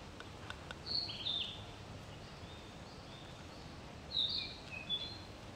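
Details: A male Narcissus Flycatcher sings at 7:30 am on 6 May 2013 in Tokyo, giving two short phrases of clear, high whistled notes about three seconds apart, over a steady hiss of background noise.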